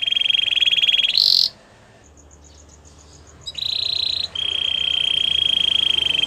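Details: White Belgian canary singing: a long, even, buzzy high trill, a brief higher burst, then a pause of about two seconds with faint ticking notes, and the flat rolling trill resumes until the end.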